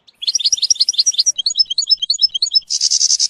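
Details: Tutoring recording of European goldfinch song for a young bird: quick tinkling notes in rapid succession, a stretch of clipped chirps, then a harsh buzzy rattle at the end.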